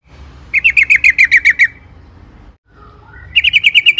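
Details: Yellow-vented bulbul in full, energetic song, a long rolling song played as a lure to make other bulbuls sing. Two bursts of rapid, evenly repeated bright chirps, each about a second long, separated by a short pause with a brief rising note.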